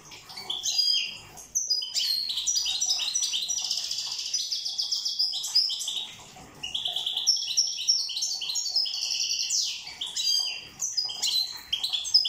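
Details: European goldfinch from Corsica in extended song: long rippling stretches of fast, high twittering and buzzy trilled phrases, broken by two short silences.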